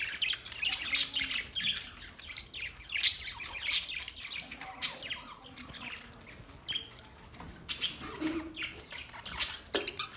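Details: Green parrots recorded on 30 August 2023, several chattering in a steady stream of shrill, high chirps and squawks, about two or three each second, irregular and overlapping.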